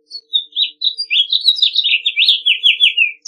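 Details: House finch song: one fast, jumbled warble of rising and falling chirps that run together, then slide lower toward the end. Background is quiet.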